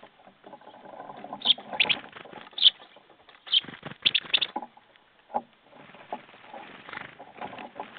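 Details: Jackdaws on 21 February 2014, late morning: clusters of quick sharp calls, some in rapid groups of three or four, over a rumbling background with softer calls later.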